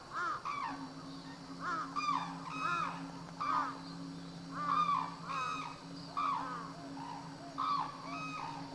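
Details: Black-necked crane in captivity at Akan International Crane Center, recorded January 8, 2006: a series of arched, harmonic honking calls, several in quick pairs, about every second or two, over a steady low hum.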